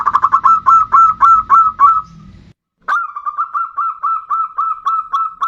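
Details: Zebra dove of the bodronoyo type singing as a lure to prompt other birds to sing: rapid, evenly spaced short cooing notes at a steady mid pitch, in two runs split by a brief silence, with low rumbling background noise during the first run.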